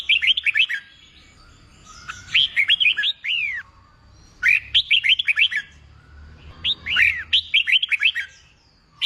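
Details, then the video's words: Wild-caught red-whiskered bulbul being trained to sing in contests: four energetic bursts of fast, bubbly whistles, each ending in a longer down-slurred note, separated by roughly two-second gaps over a soft low rumble. "Kích bổi nghe là hót, luyện chim hót đấu, luyện chào mào bổi sổ giọng"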